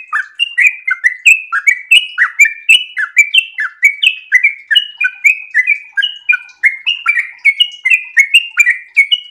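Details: Long, unbroken rapid song from a sooty-headed bulbul in breeding condition: loud, fluty whistled notes, each slurring downward, tumbling in quick succession for the whole stretch.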